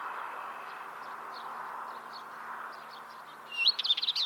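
Northern Wheatear: faint high chirps, then a brief burst of scratchy, chattering notes mixed with thin whistles, over a steady low rushing background.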